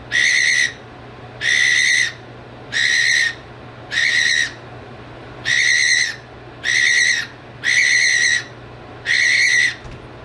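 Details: One of two pet cockatiels hatched November 2023, relentlessly "trolling", gives loud, harsh, ringing calls over and over, about every second and a half.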